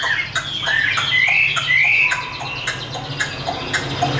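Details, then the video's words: Caged Chinese hwamei giving fighting song: rising whistled slurs and short sharp notes over a steady background hiss, phrases uneven and partly masked. "Họa mi số 1120 Chim thuần 100% sách tay hót đấu đá rất tốt"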